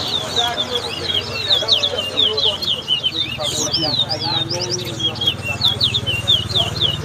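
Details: Lesser seed finch, called towa towa, singing during a whistling competition at the West Side bird ground, Guyana. Fast, continuous chains of sweet down-slurred whistles run throughout, while a man speaks loudly nearby.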